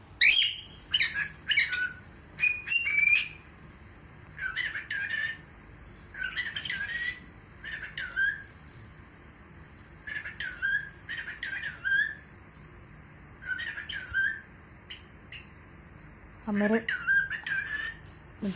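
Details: A pet cockatiel named Mittu in the UAE, owned by a family, chatters in short, warbling bursts of mimicked speech mixed with chirps and whistles while the owner asks where Mittu is.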